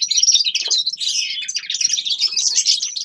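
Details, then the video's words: A loud, tight stream of high twittering and buzzy warbles from forest birds in winter. The chirps come rapidly with no gaps. "Зимнее пение лесных птиц Winter singing of forest birds شتاء غناء طيور الغابة"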